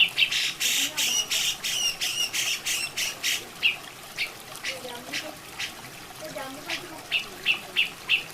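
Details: Masteran recording of a cucak jenggot, the grey-cheeked bulbul: a fast series of rasping, chattering notes repeated about three per second, fading into softer spaced notes, with a water sound behind.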